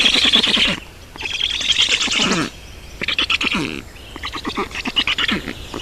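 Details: Black storks in Estonia during feeding at the nest, 18 June 2019: bursts of harsh, buzzy squawks and raspy chatter in separated bouts, with quieter gaps between them.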